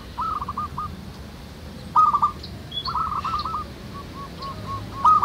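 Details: Zebra doves, local birds, in a busy natural chorus used as a lure for other doves: separate bursts of rolling, trilled cooing with quieter coos between them over a soft background hum.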